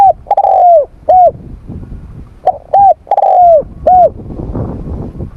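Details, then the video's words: Morning voice-training coos of a spotted dove, two phrases of short hooked notes each followed by a long falling coo, with gaps of quiet between phrases. "Tiếng Chim Cu Gáy// luyện giọng cu gáy buổi sáng"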